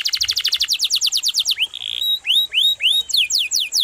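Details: Canary delivering long, sharp, melodious rolling song: a rapid trill of around fifteen downslurred notes, a brief buzzy note, then spaced arched whistles and a fresh run of quick falling sweeps.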